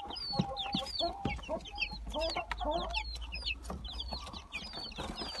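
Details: Gold Brahma and Silver Wyandotte chicks kept together, giving shrill falling cheeps in quick overlapping series, with occasional low murmured notes and quiet background thumps.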